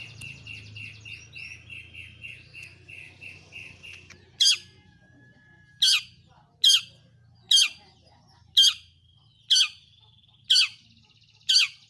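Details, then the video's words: Long-tailed shrike song played to prompt other shrikes into singing: a soft rapid trill of repeated notes opens, then sharp, loud, downward-sweeping high calls ring out roughly once per second against a low background hum. "pentet PASTOL gacor || toet toet sambung materi || pancingan burung cendet paling ampuh"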